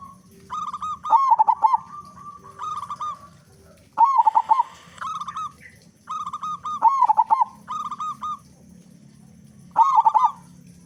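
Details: Local zebra dove, loud and actively singing, a lure to get other doves singing fast. Regular cooing phrases recur every one to two seconds, softer level notes alternating with loud bursts of quick wavering coos.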